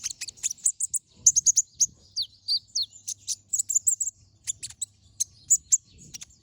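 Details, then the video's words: Lively, chattering brown-throated sunbird song with sharp bursts, a master recording meant for training other songbirds: quick strings of very high, piercing chips with a few short down-slurred whistles midway, clean and uninterrupted. "Pancingan Suara Burung Konin Gacor Ngobra Tembakan Tajam"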